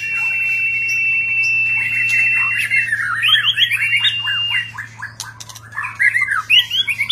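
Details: White-rumped shama singing during display with many varied notes: a rapid, continuous run of chattering, slurred and whistled notes that rise and fall. A steady high tone runs through the first four seconds, with a low hum underneath throughout.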